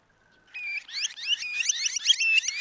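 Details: A red-and-white barbet (Somali: Dhiirran) in Somalia gives a loud, rapid, mechanical chatter of bright rolling notes, several a second, after a faint thin whistle.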